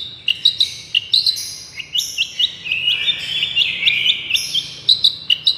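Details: Long-tailed shrike therapy song in the miyik style, used as a lure: rapid bright chirps and short high notes in quick runs, with brief thin trills and a steady high-pitched background.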